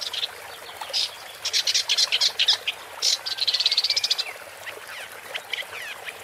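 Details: Woodchat shrike singing a scratchy, high-pitched song of short harsh bursts, then a fast rattling run of about a dozen even notes, ending in softer chatter over faint background hiss.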